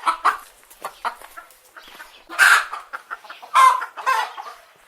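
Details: Several chicken hens give clucks and soft cackles, scattered short notes broken by two louder harsh squawks midway and toward the end.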